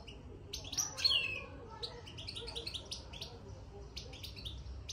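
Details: European goldfinch in a cage, twittering after going in: rapid, irregular bursts of bright high chirps and liquid notes tumbling together, with a low steady background noise.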